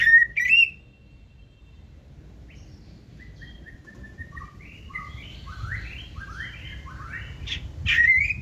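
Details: White-rumped shama in its 'forest voice' song: a loud opening slur, a quiet gap, then a long run of soft, stepped whistles that rise in pitch, ending in sharp loud notes.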